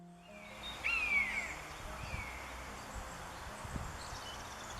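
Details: A common buzzard in the UK gives a high, drawn-out mewing cry that slides downward, rather like a cat's meow.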